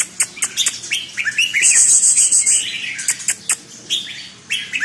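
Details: Caged red-whiskered bulbul: clipped chirps and short, swooping whistled notes, broken mid-way by a sustained, very high, buzzing trill that lasts about a second.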